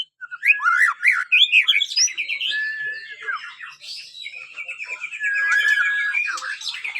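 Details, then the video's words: Young kept white-rumped shama, five months old, learning to sing; a continuous, rambling run of varied whistles, slurred rising and falling notes, chatters and buzzy trills, loud and high-pitched, with no clear repeated phrase. "pastol jahat umur 5 bulan blajar bunyi"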